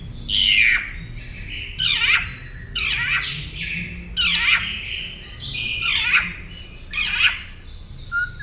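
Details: Tutor recording of a Northern mockingbird for caged songbird training: a harsh, raspy squawking phrase repeated six times at roughly one-second intervals, each note loud and downslurred, with low background noise.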